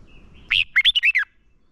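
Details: Decoy red-whiskered bulbul singing a competition-style fighting song meant to provoke and train other birds; one quick phrase of six loud, slurred, up-and-down whistled notes lasting under a second.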